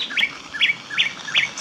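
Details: A wren singing on a wooded trail near Uberlândia, Minas Gerais, Brazil: a quick run of clear, rising-and-falling whistled notes, repeated about three times a second.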